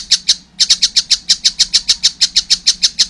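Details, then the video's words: Two loud grating notes, a short pause, then a regular string of sharp, piercing calls from a juvenile collared kingfisher. "wow masih kecil udah gacor , anakan burung tengkek buto"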